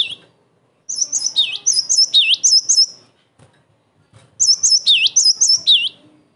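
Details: A lively Cinereous tit (Parus cinereus) sings an emotive lure or tutor song: two bursts of high, rapid whistled notes, each a bright dipping chatter of about two seconds, with a pause between.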